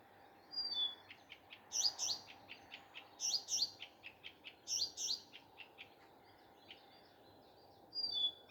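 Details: Morning song of a common nightingale: fast series of dry ticking notes mixed with doubled, piercing high chirps, phrase after phrase with short gaps.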